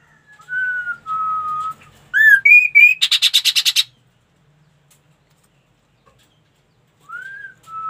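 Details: Ashy tailorbird song phrase: plain level whistles, then rising rich notes and a rapid buzzy rattle of about ten pulses, with the whistling starting again after a pause.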